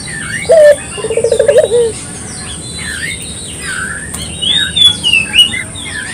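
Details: Local dove used as a lure, morning to night: a short clear note then a quick rolling trilled coo ending in a drawn-out tone, with other small birds whistling higher up.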